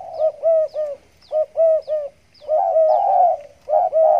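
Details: Caged spotted dove (tekukur) of the stuttering 'gagap' style, cooing in a hanging cage just after bathing: short mellow hollow coo notes in quick stuttered bursts of two or three, then a longer rolling coo.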